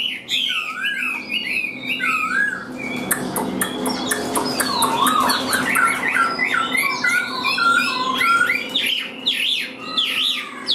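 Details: Chinese hwamei, a caged bird sold as a hand-tamed songster, singing loud varied whistled phrases: sliding notes and rapid repeated slurs between mid and high pitch, with some sharper rasping notes and faint background noise.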